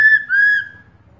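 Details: Female black-throated laughingthrush calling to a male: two clear, drawn-out whistled notes, the first short and steady, the second longer and gently falling, then fading into quiet.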